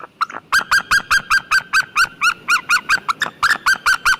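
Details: White-tailed eagle giving a rapid chain of loud, goose-like yelping notes, about four per second, each note short and slightly arched in pitch, continuing steadily throughout.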